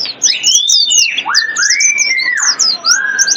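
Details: Wild bird lure: loud swooping whistles rising and falling beneath a dense layer of high, rapid chirping, with a constant low hum.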